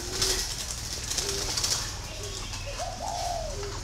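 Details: Green pigeon giving soft, short whistled notes that build into a longer, rising then gently falling whistle near the end, with scattered clicks and faint high chirps in the background.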